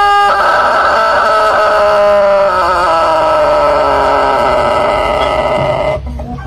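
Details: A red rooster gives one long, loud crow that holds steady for over five seconds, wavers in the middle, and slides slightly lower before it cuts off.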